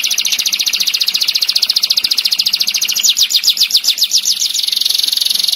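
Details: Canary master song in the dense, sharp 'tembakan' style with long rolls, used for training other songbirds: a continuous rapid high trill of fast repeated notes, shifting pace about halfway, bright and piercing.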